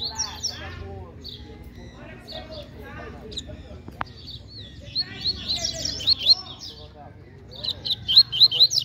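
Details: Double-collared seedeater singing in competition, fast and strong: bursts of high, rapid, buzzy twittering phrases in the second half, over a low background hum and some voices.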